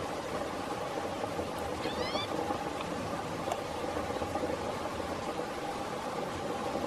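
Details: A Green-tailed Towhee, calling and preening in Blackwood Canyon, Placer County, California, on 29 August 2017, gives one brief, rising, cat-like mew against a steady hiss of background noise.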